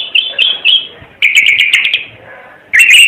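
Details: Red-eyed bird from Timor singing: short high warbled phrases, then a longer rich chattering run and a final bright burst after a pause.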